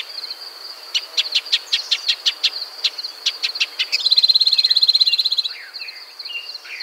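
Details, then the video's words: Repeated sharp chip calls of a shining sunbird, Cinnyris habessinicus, in arid desert scrubland: quick clicking series, then a loud rapid buzzy trill for about a second and a half, over a continuous high-pitched drone. "Shining Sunbird’s Call"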